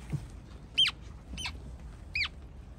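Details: A pair of Western grebe hatchlings, found alone on a Bay Area reservoir and now in rescue care, give three thin, very high squeaky peeps, each sliding sharply downward, under a second apart, over a faint low hum.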